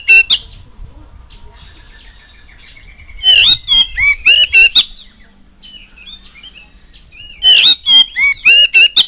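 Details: Oriental magpie-robin played as a prompt recording for young birds to learn song: two bursts of about six loud, harsh, ringing notes with faint soft twittering between them.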